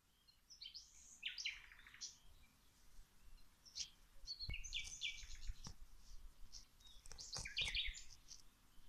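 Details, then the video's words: Birds singing outdoors while plants are watered: scattered bursts of high chirps and short twittering phrases from several birds, separated by quiet gaps, with a soft low background hum. "Watering the plants while the birds singing"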